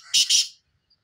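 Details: Two rapid, harsh, buzzy notes from a black francolin, the second right after the first, then quiet.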